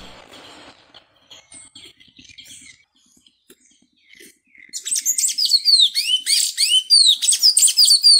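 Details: A Sayaca Tanager (Thraupis sayaca) sings a fast, squeaky jumble of high, thin chirps and twitters after a few quiet seconds.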